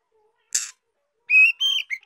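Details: Young female White-rumped shama song meant to stimulate males: a single harsh rasp followed by a sequence of loud, clear whistles that rise and fall.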